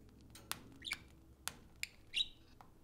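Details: Pet budgerigars at play indoors: a few sharp clicks spaced about every half second, a short buzzy warble and a brief scratchy chirp against faint room noise.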